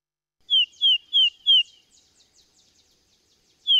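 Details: Tufted Titmouse of the eastern United States in spring singing its repetitive 'peter peter peter' song: clear, high, down-slurred whistles, four at about three per second, then a pause before another begins.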